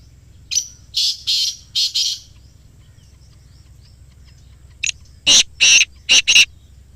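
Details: Black francolin call, used as playback to get captive francolins calling: two harsh, grating phrases, each a short lead note followed by four buzzy bursts, separated by a pause of several seconds against a quiet background.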